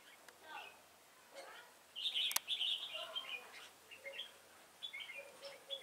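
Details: Decoy red-whiskered bulbul singing during a fight-trapping session on 26 September 2017. Loud bright whistled notes bunch together midway, then sparser chirpy phrases follow. Faint talking and a sharp click are also heard.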